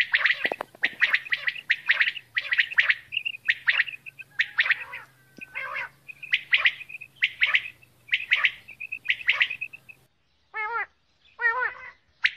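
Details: Female common quail: long run of rapid clipped triple notes, repeated about once a second, over a low steady hum, ending with a few lower wavering tonal calls after a pause.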